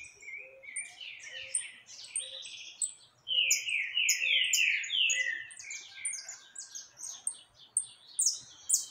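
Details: Saffron finch recorded 20 October 2021 while singing a lot with loose birds nearby; rapid buzzy falling notes building into a loud, dense chatter, softer low pulses repeating underneath.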